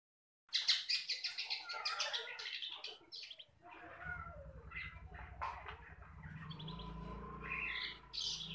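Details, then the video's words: Long-tailed shrike singing vigorously: a rapid, scratchy run of varied notes and harsh chatter, with a low steady hum in the background for the second half. "cendet trotolan gacor"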